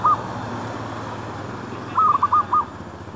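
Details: Zebra dove near a shop area, wild birds being lured with a decoy; one brief coo then a run of five rapid trilled cooing pulses, set against steady background hum.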